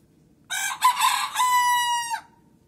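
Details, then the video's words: A Leghorn cock gives one full crow: harsh, broken opening syllables leading into a sustained, level tone held for nearly a second before a brief downward drop "liqorin xoruzlarinin banlamasi"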